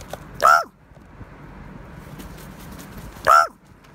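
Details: A dominant raven asserting itself over other ravens: two loud, harsh, descending calls about three seconds apart, with faint clicks and rustling between.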